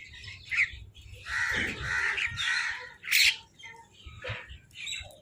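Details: Crows calling over food, with rough, broad cawing that swells and fades, mixed with sharp, higher squawks and chattering from nearby birds.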